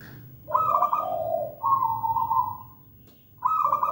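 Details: Perkutut, a local zebra dove, singing: a rolling, vibrating coo dropping in pitch, a long sustained trilled note, a pause, then the next phrase begins.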